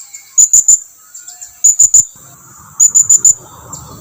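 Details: Blue-crowned hanging parrot calling its companions to come closer: very high, thin, sharp notes in quick bursts of three, the bursts about a second apart, over a quiet background.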